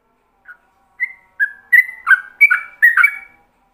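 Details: Ropelan song of a yellow-vented bulbul used to train other bulbuls: a soft chip and clear drawn whistles build into quick liquid warbled phrases repeated about every half second.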